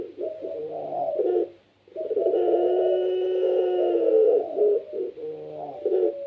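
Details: Captive Barbary dove of the pelung style, singing loudly to trigger other doves: a short coo, a pause, then a sustained low rolling coo followed by a few clipped repeated notes.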